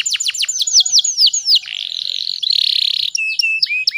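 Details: Female canary singing to prompt other canaries to sing; quick downward notes repeated in a row, then a sustained buzzy rolling trill, followed by short, separate chirps.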